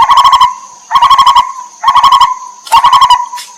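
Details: Lineated barbet, wild, while feeding its young: four loud bursts of rapid, hollow pulsed notes at about one-second intervals, with a steady high whine in the background.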